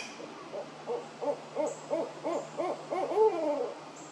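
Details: One of a pair of Barred Owls perched high in park trees in Florida one morning, calling back and forth with crows calling nearby, gives a rapid run of about ten rising-and-falling hoots ending in a drawn-out downslurred note.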